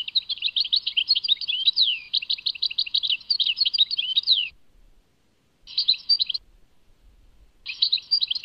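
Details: Goldfinch song, Tadmait: a lively stream of tinkling twitters and sliding notes for about four seconds, then shorter twittering bursts separated by quiet gaps.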